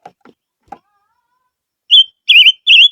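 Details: A few soft knocks, then a barbet's lure song starts: a held high whistle followed by two loud, wavering, trilled notes.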